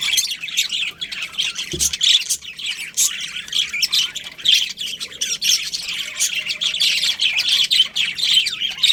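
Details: A colony of budgerigars filling the air with steady high-pitched chatter, overlapping squawks and chirps running without break throughout.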